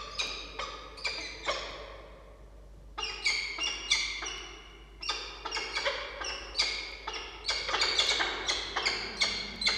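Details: Upbeat percussive music with rapid wood-block-like knocks and bright plucked notes in bursts, a short quieter gap near two seconds, and no animal voice.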